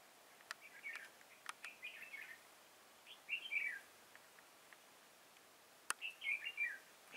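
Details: Red-whiskered bulbul singing as a decoy to lure wild birds into a trap at Chùa Hương, Vietnam, 10 March 2018; brief warbling, slurred phrases in separate bursts, with sharp clicks and soft background noise.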